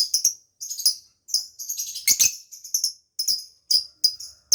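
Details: Lovebird chirping, used to lure escaped birds and stimulate other lovebirds to mate: bursts of harsh, high, scratchy chattering notes in short clusters with brief silent gaps, fairly steady pace.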